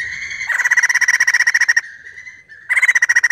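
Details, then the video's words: White-crested laughingthrush in full song, used to prompt other birds to sing: loud, rapid pulsed trills with a steady whistled tone between bursts, about ten pulses a second, with a brief plain whistle and a renewed trill. "POKSAY JAMBUL GACOR UNTUK PANCINGAN BUNYI"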